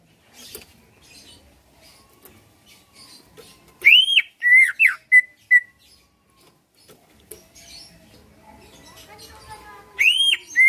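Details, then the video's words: Captive greater green leafbird from Pasuruan, Indonesia, whose singing is meant to trigger replies and fighting; after quiet background murmuring, a burst of arched whistles and short notes, then another loud whistle near the end. "Cucak ijo lain liat dan dengar kicauannya bakal nyaut+gacor+tarung"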